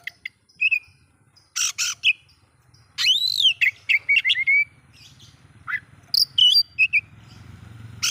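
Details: Oriental magpie-robin singing to provoke other magpie-robins; scattered sharp chirps and clear whistles, including a rising-falling arched note and a quick run of ticks, with quiet gaps between phrases.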